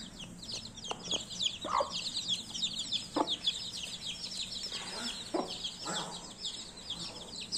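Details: Baby chicks chirping: a dense chorus of many overlapping high, thin peeps, fast and irregular, with a few lower short soft clucks and brief thumps scattered through.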